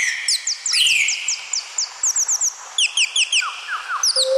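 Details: Colourful parrot calling with a harsh rising squeal, then rapid high downslurred chirps and a few lower notes toward the end.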